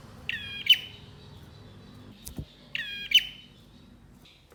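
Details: Male bar-winged prinia, singing to wake the urge to sing in silent birds. Two short, buzzy, nasal bursts about two and a half seconds apart over a soft low rumble, with a single knock between them.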